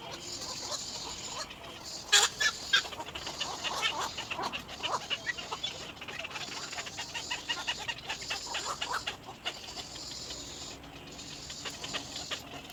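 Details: A Little Egret chick, crying for its mother, gives a fast, steady chatter of harsh clicking notes, with a few louder squawks near the start.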